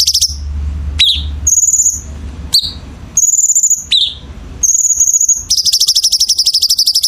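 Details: Songbird song from a masteran (tutor recording for training birds) of a gacor, persistently singing bird: sharp very high whistles, downslurred notes, then a long rapid buzzy trill over a faint low hum.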